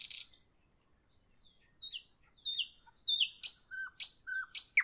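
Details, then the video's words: Nightingale singing in the evening: a buzzy burst, then a string of short slurred whistles that grow louder, ending in sharp downward-sweeping notes spaced about half a second apart. "Evening nightingale, nightingale song, nightingale"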